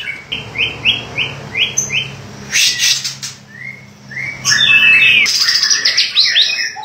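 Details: White-rumped shama song: a row of five short rising whistles, then loud harsh bursts and rich slurred whistled phrases that swell toward the end.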